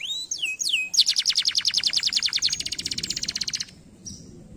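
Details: Canary singing to stimulate other canaries to sing: two looping whistled notes, then a long rapid trill of clipped high pulses for nearly three seconds, ending abruptly before a faint final note.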